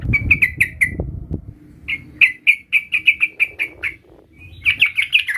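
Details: Trucukan, or sooty-headed bulbul, rehearsing its rolling song: a run of short clear notes, a longer evenly spaced series of ringing notes, then a faster closing burst, with faint low background noise.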